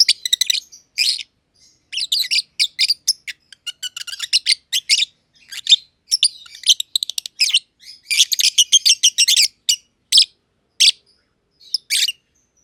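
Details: Green personata and green pied personata lovebirds, close companions in an aviary, chirping at length: dense, rapid, scratchy high chirps in long irregular bursts with short gaps.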